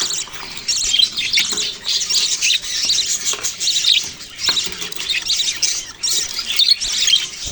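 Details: Budgies keep up a steady, high-pitched chatter of short squawks and chirps in uneven bursts, several birds calling over one another.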